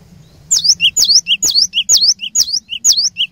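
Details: Lure cinereous tit in energetic song meant to provoke rivals: high piercing two-note phrases, a bright descending whistle then a lower clipped note, repeated about twice per second for three seconds over a low steady hum.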